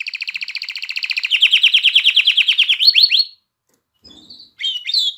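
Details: Canary song for arousing females to breed and prompting chicks to sing: a rapid pulsed trill grows louder, ending in upward-slurred notes, then after a brief silence a few short chirps follow.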